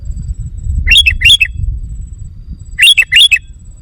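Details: A sooty-headed bulbul's lure call, used to agitate wild bulbuls: two paired bursts of rich, descending, bubbly whistled notes, separated by nearly a second and a half of low rumbling background.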